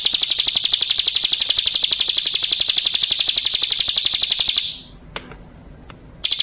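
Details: Bar-winged prinia female summoning a male, used to coax birds into clear song: a sustained, piercing trill of evenly spaced rapid clicks runs over four seconds, stops, and restarts at the end.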